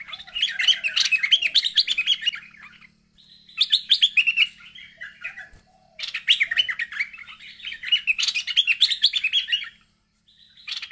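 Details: Bulbul, agitated and calling out to a rival: bursts of rapid, chattering, bubbly notes lasting two to three seconds each, separated by short pauses, with a faint low hum underneath.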